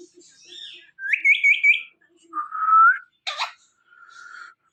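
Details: Indian ringneck parakeet kept as a pet, giving clear whistled notes: a quick wavering trill, then a long smooth rising whistle, a sharp burst, and a softer final whistle, with quiet gaps between.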